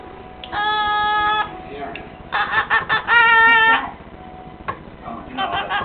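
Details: A young pet severe macaw (Ara severus) sings his own song a cappella while dancing: nasal, humming notes, one held tone, then a run of pulsing, wavering notes, with softer chatter at the end.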